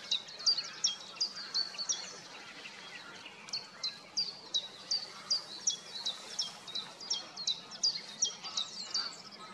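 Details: A White-tailed eagle gives a long series of sharp, high yelping notes, almost three per second, over a soft, steady background hiss; recorded 23 March 2024 at Brzezia Łąka, Lower Silesia, Poland.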